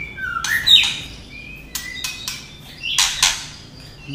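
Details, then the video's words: Female white-rumped shama singing to excite males, with clicking 'tạch' notes: a low rising whistle, a bright high note, then harsh broadband rasping bursts and short level whistles in an irregular string. "chòe lửa mái hót kích trống. tiếng chòe lửa mái tạch kích chim lên lửa nhanh nhất"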